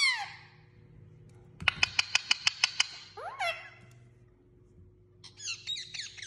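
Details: Pet parrot indoors giving a harsh descending squawk, then a rapid run of about eight sharp, evenly spaced clicking notes, a rising whistled swoop, and a closing burst of high wavering chirps in a quiet room.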